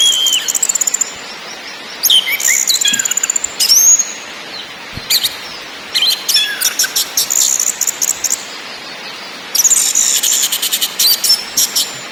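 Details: Orange-headed thrush in ngakrak, ngeplong and nyiul song styles, giving slurred whistles and squeaky notes amid long bursts of rapid, very high mechanical rattling trills, with short silent gaps.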